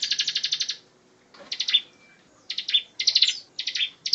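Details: Bar-winged prinia recorded as tutor song for other songbirds: short, choppy bursts of rapid high chattering notes separated by silent gaps of about half a second to a second.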